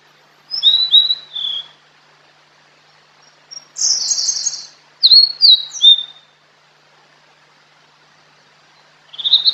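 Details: Fork-tailed sunbird (sulingan or tledekan) in a natural-sound lure recording: short bursts of high, sweet, slurred whistles and buzzy chatter come in separate phrases with quiet gaps between them.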